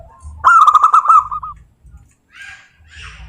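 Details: Zebra dove from a local wild strain giving one loud, vibrating burst of quick cooing notes lasting about a second, then fading, followed by faint rustling.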